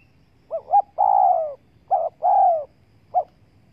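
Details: Lure call of a spotted dove for attracting wild doves: two quick coos lead into a drawn-out, husky descending coo, then a repeat and a final short note, in quiet surroundings.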